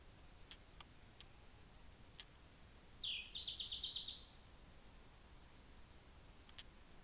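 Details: Song of a Siberian blue robin recorded at Hocchi, Minami-Karuizawa, Japan, in June mid-afternoon: a row of soft, very high ticks building up, then a loud, rapid rattling trill lasting over a second, with quiet background.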